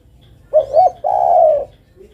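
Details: Single phrase from a female spotted dove calling to a male: two short soft coos, then a longer steady coo lasting about half a second.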